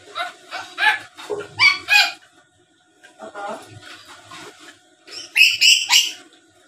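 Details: Talking black-capped lory chattering, a recording meant to lure rival birds into replying: bursts of harsh, nasal speech-like syllables, a quiet pause, then a rapid run of shrill squawks near the end.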